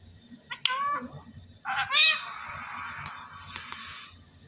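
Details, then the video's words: Parrot talking, saying the phrase Allah Hoo: a short nasal harmonic syllable, then a longer warbling, speech-like phrase fading into a hoarse drawn-out rasp over a low room hum. "Parrot Talking ALLAH HOO میاں مٹھو کی باتیں اللہ ھو"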